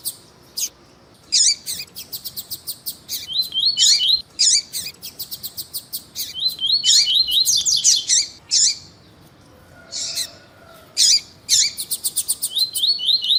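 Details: Double-collared seedeater of the tuí-tuí song style, a male singing with a female calling, used to warm up a male for tournaments: rapid bursts of sharp high chirps and buzzy rattling notes, broken by short pauses, with a quieter gap near the end.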